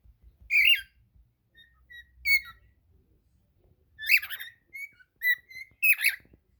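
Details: Pet cockatiel singing: clear whistled notes and short rising slurs in separated bursts, some harsh harmonic-rich phrases, in a quiet small room.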